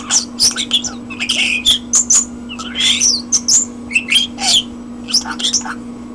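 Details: Common starling singing indoors: a busy medley of scratchy squawks, clicks, high whistles and rasping chatter in rapid, irregular bursts, over a steady low electrical hum.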